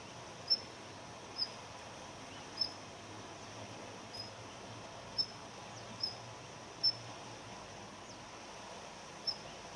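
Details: Daurian redstart, a winter bird of house gardens, male and female, giving ground calls. Eight sharp, high, thin pips come at uneven gaps of roughly one to one and a half seconds against a constant faint rumbling hiss.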